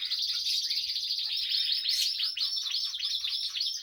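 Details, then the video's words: Female Spanish timbrado canary singing: a continuous dense stream of high rolling trills and warbled notes with no pause, over a faint low steady hum. "Female Canary Timbrado That Sings"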